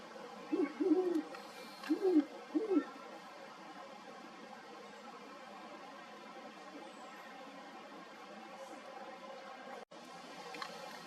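A great horned owl gives a deep, soft hooting series of about five muffled notes in the first three seconds, then only faint background hiss.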